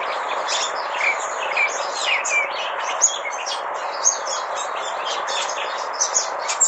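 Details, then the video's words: Canary-like twittering from a red-whiskered bulbul on loan: quick high chirps and short whistled slurs, a few louder sharp notes, against a constant background hiss. "making canary noises"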